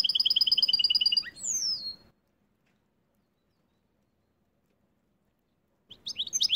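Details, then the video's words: A caged goldfinch x canary hybrid in winter sings a fast, high trill of repeated notes ending in a downward slurred whistle, then pauses before more twittering phrases. "Goldfinch x Canary"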